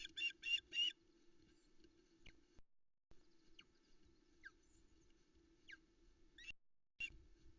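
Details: Osprey nest in the Arkaig Community Forest, Loch Arkaig, recorded by nest cam on a July 2020 morning; the female begs for fish: four quick shrill chirps at the start, then scattered faint thin notes over low steady hum.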